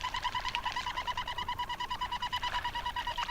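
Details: Surf scoter calling in a rapid, steady series of short nasal pulses, about three per second, each with a stacked harmonic tone, continuing evenly throughout against faint background hiss.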